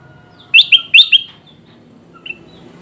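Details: A quick cluster of four loud, bright upslurred bulbul notes, then near silence with one faint chirp. The calls are used to attract wild kutilang emas bulbuls for trapping.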